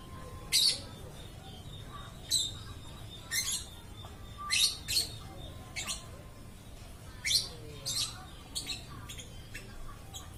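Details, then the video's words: Lovebird chirping nonstop with sharp, high squeaky calls in short groups of two or three, repeated irregularly over a steady faint background hum. "BURUNG LOVE BIRD TIDAK BERHENTI BERKICAU"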